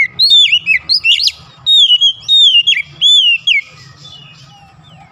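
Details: White-rumped shama (kacer) in a therapy recording meant to make a silent bird sing: loud, clear whistled phrases with sliding notes around mid-high pitch, delivered in quick bursts, then fading to quieter distant whistles.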